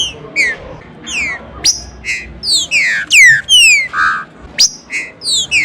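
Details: Green-winged saltator song used as a "chuva na praça" singing-stimulation track: loud, clear whistled notes that slur downward, delivered in quick overlapping bursts over faint background noise.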